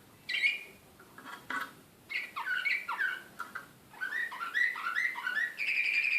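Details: Serbian slavujar song canary in Belgrade, 2016, excited. Scattered chirps and a few faint clicks lead into a quick, even series of rising syllables, then a bright sustained trill.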